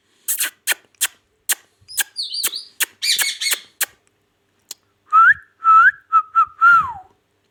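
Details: Ring-necked parakeet kept as a talking pet in Pakistan, indoors; a run of sharp clicks and short squawks, then several clear rising-and-falling whistled notes near the end.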